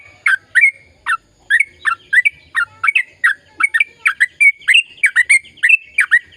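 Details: Sooty-headed bulbul giving a lively, long rapid-fire song to stimulate silent birds into song: dense, bright chirping and fluty notes tumbling quickly and slightly irregularly, growing busier toward the end.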